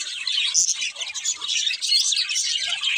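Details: A breeding pair of budgies produces constant scratchy warbling and quick high chirps, rising and falling in loudness, with a brief pause around the first second.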